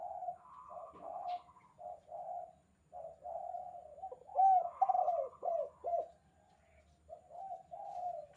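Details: Spotted dove giving the lively 'kuk 2' call style, used as a tutor recording for training captive doves: mellow, low cooing notes in short phrases with brief pauses, a louder rolling phrase midway, otherwise quiet background.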